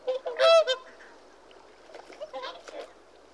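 A whooper swan gives a loud, brassy, bugling honk followed by a few fainter, nasal trumpeting notes from other swans further off.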